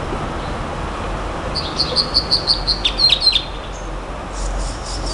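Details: Nightingale song: a run of about ten clear, high whistled notes repeated evenly, shifting to a slightly lower series partway through, over a steady low background hum.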